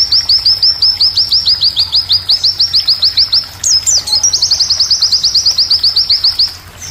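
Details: White-eye song used as tutor material for G12 and G16 contest classes. Rapid high chirps slur downward in steady succession, with a brief burst of varied twitters midway, then an even faster run of the same notes.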